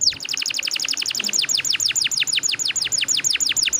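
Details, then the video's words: Canary delivering a long rolling song to lure other canaries into singing: an even, rapid series of high falling whistles, slightly slowing toward the end. "PANCINGAN KENARI GACOR NGEROLL PANJANG"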